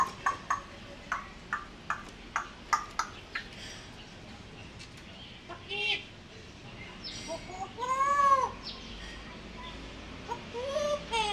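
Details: Pet African grey parrot talking and dancing while asking for food indoors: a run of sharp clicks about twice a second, then several clear whistled notes that rise and fall, with quieter chatter at the end.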